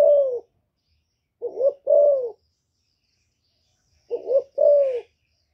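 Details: Spotted dove hen calling to draw males: soft low coos, a short rising note then a drawn-out falling one, given in three phrases with gaps of about two seconds.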